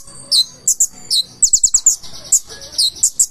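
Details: Purple-throated sunbird song, bright and very high: short sharp chips, descending-then-rising slurs and a quick run of four ticking notes, delivered energetically in three seconds.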